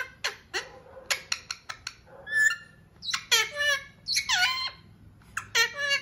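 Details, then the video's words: A pet talking parrot gives a quick run of sharp clicks, then harsh, raspy, speech-like squawks that drop in pitch, repeated over several seconds. "Talking Parrot"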